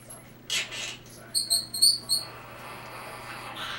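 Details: Pet quaker parrot (monk parakeet) wanting a kiss, giving four short, high, bright chirps in quick succession midway through, after a few soft breathy sounds and a person's quiet speech.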